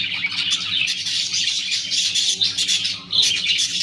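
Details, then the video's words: Several clearwing budgies chirping and warbling together in a dense, unbroken high-pitched chatter, with a brief lull near the end and a constant low electrical hum beneath. "CLEARWING BUDGIES . ক্লিয়ার উইং বাজরিগার পাখি ।"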